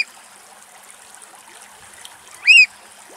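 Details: A Eurasian oystercatcher gives a single loud, shrill piping note, rising then falling, over steady trickling water. Recorded in Greek nature as birds were mating during breeding.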